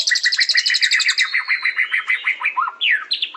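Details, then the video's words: Song of a white-rumped shama (murai batu): a pulsing series of paired notes gives way to a steady buzzy trill, closing with a few descending slurred whistles. "Beautiful Birds Chirping Murai Batu"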